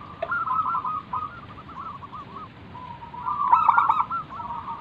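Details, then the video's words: Local wild zebra dove used to coax other doves into answering. Wavering soft coos with short breaks build into a loud, rapid, stuttered burst toward the end. "burung perkutut lokal Gacor manggung - pancingan pikat paling Ampuh mengundang bunyi"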